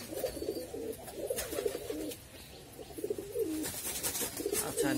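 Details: Golla pigeons kept as breeding stock, laying eggs and raising young. Low, throaty rolling coos come in repeated phrases, with clattery background noise and rustling throughout.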